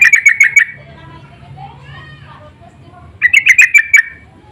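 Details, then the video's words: Sooty-headed bulbuls answering each other: a quick series of scratchy, ringing chatter notes, a gap with faint soft whistles, then a second energetic burst of about seven notes. "Pancingan dan panggilan burung trucuk saling bersahutan"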